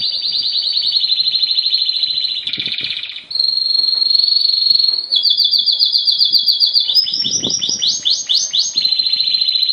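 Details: Blue and white Timbrado canary singing: long sustained rolling trills and metallic rattles in a high register, shifting between trill types, with a brief harsher burst near the middle and rising stepped notes toward the end.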